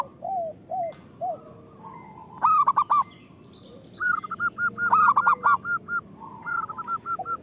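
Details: Local zebra doves singing as a lure and master recording for other doves: a few soft, descending coos, then loud trilled bursts and runs of quick, evenly repeated coo notes from more than one bird.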